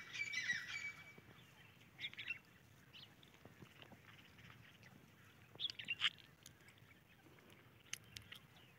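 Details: Grey francolin chicks calling: an opening burst of harsh, high squawking notes, then scattered brief high cheeps and squeaks against a quiet outdoor background.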